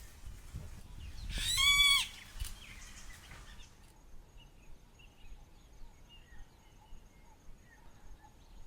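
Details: In a Kruger National Park camp in South Africa, a Golden-tailed Woodpecker used to people and excavating a tree gives one loud, nasal, drawn-out shriek under a second long, followed by faint chirps from other birds.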